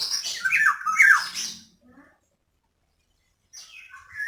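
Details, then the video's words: Female black-naped oriole call, used to prompt reluctant males to sing: a harsh, nasal, squawking burst lasting over a second, then silence, then another raspy call starting. "Pancingan burung kepodang betina buat podang yg malas bunyi"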